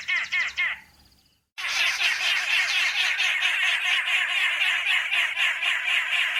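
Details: Arrow-marked babblers in southern Africa give a loud, harsh, churring chatter, several voices overlapping continuously after a brief spoken introduction.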